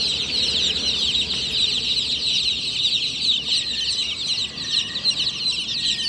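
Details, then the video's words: Many newly hatched chicks at night giving a constant, loud stream of high, piercing chirps that blend into a continuous chorus for six seconds. "Tot Murgi Chicks Chirping Sounds - Just Born Baby Gallina FRACAS Chicks Piar Loudly Sound"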